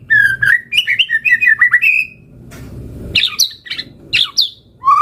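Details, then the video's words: Vigorous White-rumped shama song: clear whistled phrases rising into quick warbles, a short quiet spell, then harsher high chirps and a closing low whistle. "Pancingan Murai Batu Gacor Auto NYAUT Langsung RESPON - Masteran Suara Burung Murai Gacor Full Isian"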